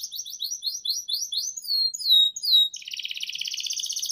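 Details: Long lure song of a canary used as master song for young birds: quick rising and falling whistled syllables, then a few louder sweeping notes, then a dense buzzy rolling trill.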